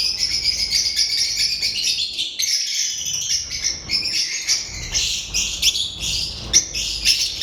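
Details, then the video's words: Several lovebirds, filmed 12 March 2025, keep up a constant shrill twittering chorus, overlapping chirps with occasional sharper squeaks standing out, over a low background noise. "Today love birds"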